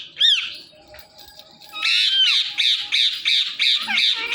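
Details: Pet Indian ringneck parakeet indoors, giving a rapid run of harsh, high squawks, roughly three per second, after a brief rising-falling cry and a quieter stretch with faint background sound.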